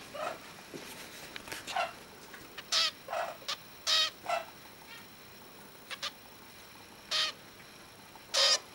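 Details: Cockatiel chick about 14 or 15 days old, a young male trying to sing like his father: scattered short, raspy, hissing squawks at irregular intervals against a steady background hiss.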